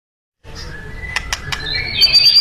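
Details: White-rumped shama in vigorous, chatty song: a short run of clear whistled tones near one pitch, crisp clicks, then a high thin note with rising whistles.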